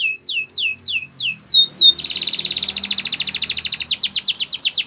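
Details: Canary training song opening with a handful of slow swooping down-slurred whistles, then breaking into a fast, even rolling trill.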